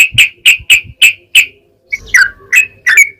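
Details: Yellow-vented bulbul singing to lure other bulbuls into song: six crisp, evenly spaced chirps, then a brief gap and a more varied run of bubbling, slurred notes.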